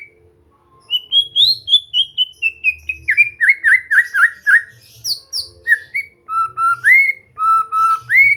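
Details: Shama singing in relaxed practice material to make birds sing often: a long, varied phrase of rapid clear notes, first stepping down, then fast down-swept slurs, high thin notes, and slower low whistles ending with rising sweeps.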